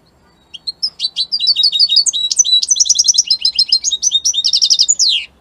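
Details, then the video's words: Italian-type European goldfinch in captivity delivering a continuous five-second run of fast, liquid twittering notes and trills that ends in a descending buzzy slur. "من أقوى تغاريد طائر الحسون الجميلة الحسون ايطاليا"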